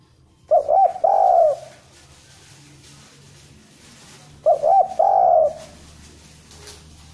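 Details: Spotted dove cooing for use as a bait recording to stimulate other birds: two phrases about four seconds apart. Each has a quick double note, then a long, steady, mellow coo. A low background hum runs throughout.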